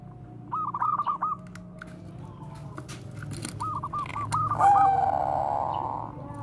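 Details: Bangkok-type zebra dove singing bekur koar-koar as a training lure: two quick runs of choppy, stuttering notes separated by a pause, the second ending in a long smooth coo, with low background hum.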